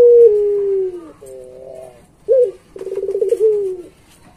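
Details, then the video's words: Barbary dove (puter pelung) cooing on a training master for pet doves: a drawn, descending low coo, then a wavering paired tone, a brief sharp note, and a rolling pulsed phrase that fades into a hum. "Suara Masteran Puter Pelung Gacor"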